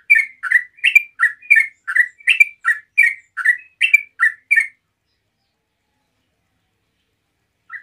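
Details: A yellow-vented bulbul, used as a lure to make other bulbuls answer, gives a quick run of about a dozen bright, chirpy notes, roughly three per second, then a pause and one last note.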